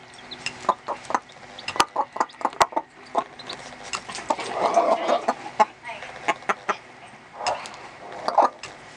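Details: Hen with chicks two and a half days old in a small coop, teaching them to eat and drink; bursts of quick clucks, a softer rolling murmur midway, sharp clicks and thin chick peeps throughout.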